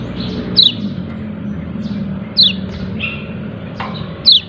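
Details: A yellow-breasted white-eye gives its "ciak ciak" call, three crisp high descending chirps spaced about two seconds apart, with softer high notes between them and a low background drone.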